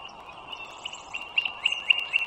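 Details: Bald eagles at a wild nest along the Dulles Greenway, northern Virginia, 21 March 2023 at 09:15: high squeaky piping notes quicken and grow louder into an accented, stuttering chatter.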